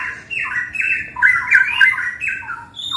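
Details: Caged Straw-headed Bulbul of the blorok (pied) variety, kept in a bird kiosk in West Jakarta and praised as a steady, reliable singer. It gives loud, rich warbled phrases that slide between low and high notes, run almost without pause, and echo slightly indoors.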